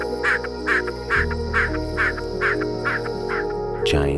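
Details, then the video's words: A Giant Snipe, an Atlantic Forest bird, gives a steady run of short, hoarse notes, about two a second, over a bed of sustained background music. "NARCEJÃO/GIANT SNIPE"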